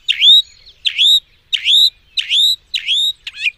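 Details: Cenzontle, a mockingbird, repeating one loud, clear phrase five times at about half-second intervals: a dipping then rising whistled note with bright overtones. It ends on a short, different buzzy note. The background is quiet.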